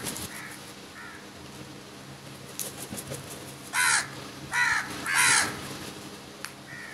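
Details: A huge number of crows feeding together, several faint distant caws then three loud rasping caws in quick succession near the end, with light clicks and background noise.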